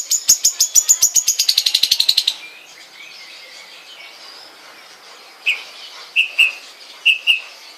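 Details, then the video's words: Long-tailed shrike kept at home: a fast rattling trill of high notes that slides lower over two seconds, then a quiet pause and a few separate down-slurred whistles. "kicau cendet mania"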